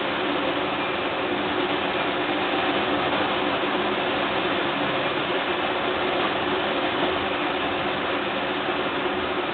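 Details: Constant mechanical whirring and hiss, like machinery running, with no animal voices.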